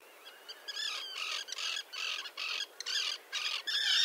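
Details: Common terns in a small breeding colony with chicks on a concrete block near a sea mole, 1.5 km from the coast at Liepāja, Latvia, June 2024: harsh, grating calls in bursts, each a rough stacked squawk, repeated with short gaps.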